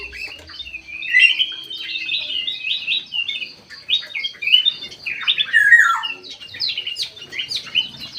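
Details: Bulbul, the golden white-eyed kind, singing actively in an aviary: dense, lively run of chirps and twittering whistled phrases, many notes sliding down, steady throughout with overlapping callers.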